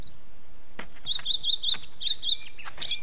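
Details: Gelatik batu, or cinereous tit, used as a lure to bring birds down for catching, called the 'kejepit' sound. A run of five or six clipped, high, evenly spaced notes, then sharper upslurred chirps, over constant hiss.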